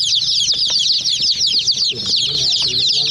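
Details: Chicks attacking a small toy jeep give a dense run of shrill, high cheeps, each note brief and slurred, with some low muffled sounds near the end.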